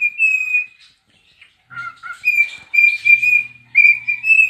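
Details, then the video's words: Domestic cockatiel singing as it dances and rubs its tail: clear whistled phrases at a steady pitch, a pause, two lower whistled dips, then rhythmic repeated whistles mixed with scratchy notes and a faint low hum. "Dancing (Rubbing its tail and....) and Singing - Pica the #Cockatiel"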